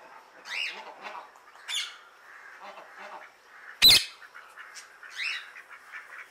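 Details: Outside and calling other birds, an Indian ringneck parrot gives scattered raspy squawks and short chirps, with one loud piercing screech in the middle.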